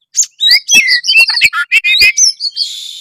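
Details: Loud, varied song of an oriental magpie-robin in energetic calling form: rapid run of sharp chirps, whistled slurs and rasping notes packed into three seconds, ending in a harsh buzzy note.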